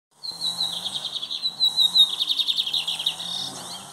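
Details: Lined seedeater (bigodinho) singing loudly in a classic song style used for bird training: a fast, buzzy run of high, rapidly repeated notes. It starts with a slurred tone and holds steady for over three seconds, with a faint low hum underneath.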